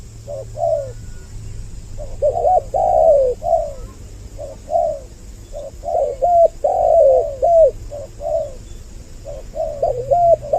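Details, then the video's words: Spotted dove call used as a lure for both sexes, two voices together: mellow, hollow coos in clusters of three or four notes, with gaps of about a second. A faint low hum runs underneath. "Suara Pikat burung Tekukur Mp3 Doble Suara"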